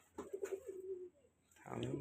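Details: Giribaz pigeon from Rajshahi, one of a colour-matched group; a single drawn-out low coo, steady then trailing off over about a second, followed by a rough shuffling noise.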